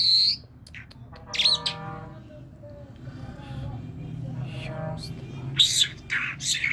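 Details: Kerman talking myna: a whistled note, then low nasal harmonic sounds like mimicked speech, broken by sharp high chirps and squeaks over a faint background hum.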